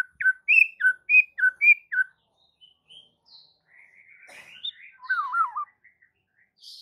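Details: White-rumped shama song used to draw other shamas into singing. A quick string of loud whistled notes, alternating high and low, is followed by softer rambling warbles and a final twisting, wavering whistle.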